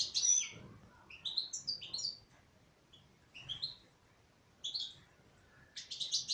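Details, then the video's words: Female European goldfinch singing in separate high twittering phrases, thin whistled slurs and a closing rapid tinkling trill, with quiet gaps of one to two seconds between phrases. "تغريد انثى حسون"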